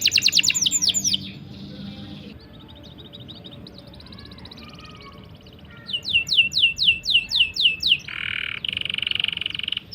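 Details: Canary song used for tutoring or coaxing canaries to sing: a fast high roll, then a long quiet stretch with faint buzzy trills, then loud repeated sweeping notes and a harsh buzzing trill.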